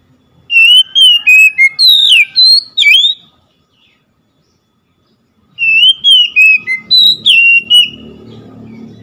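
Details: Oriental magpie-robin giving two long bursts of fast whistled notes, each with about eight bright, slurred syllables and a few sharper accents, separated by a short silence, with a low rumble growing near the end.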